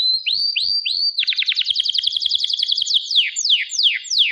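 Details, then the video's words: Canary song opening with three rising whistled notes, then a fast rattling trill and a series of steeply falling sweeps. "KANARYA ŞAHANE ÖTÜYOR"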